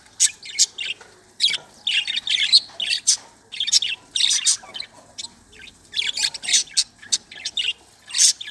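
Budgerigars chatter in bursts of high, scratchy chirps and squeaky warbles.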